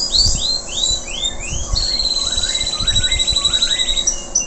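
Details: Local canary singing strongly after its moult. Rising whistled slurs repeat about twice a second, then a long, fast, buzzy trill with quick upward chirps running beneath it. A steady low background hum is present.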